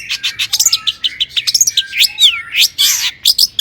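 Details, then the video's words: Long-tailed shrike song meant to make other shrikes sing: a rapid twittering chatter followed by swooping whistled slurs, some falling and some rising, with a few scratchy notes mixed in. "suara cendet gacor PALING DI MINATI,, PANCINGAN CENDET AGAR BUNYI"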